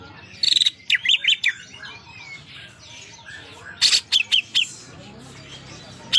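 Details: Greater green leafbird singing energetically, its song filled with imitated prinia phrases: sharp, high chirped notes in quick clusters of three to five, separated by short pauses, over a faint, steady background hiss.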